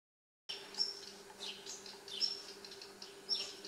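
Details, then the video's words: Young redstart fledgling, apparently just out of the nest and learning to fly, sits on a balcony on the evening of May 31 and is fed by its parents; it gives thin, high whistled notes about a second apart over steady hiss and low hum. "Baby Redstart"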